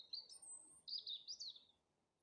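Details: Birds in April gradually starting to sing: a bright, high twittering phrase of rapid warbled notes that rise and fall, lasting under two seconds before fading into a quiet, calm background.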